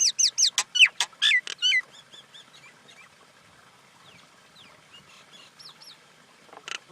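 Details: Common Indian myna calling with a quick series of loud rising and falling whistled notes and clicks, then quieter scattered whistles and a final harsh burst.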